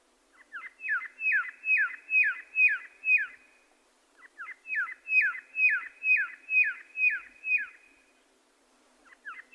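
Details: Two bursts of red-lored whistler song, each a quickening string of about eight to nine loud descending whistles, separated by a short silence, with a third phrase just beginning.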